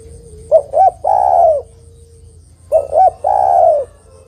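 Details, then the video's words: Calling female spotted dove summoning the male with a hoarse phrase of two brief coos leading into a long, level coo. The phrase is repeated after about two seconds, with a soft constant whine throughout. "TEKUKUR BETINA MEMANGGIL JANTAN"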